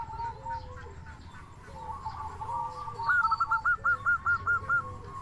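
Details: Local zebra dove, a lure to get other doves calling: faint soft coos at first, then a clear run of about eight evenly spaced, slightly rising trilled coos over low background hiss.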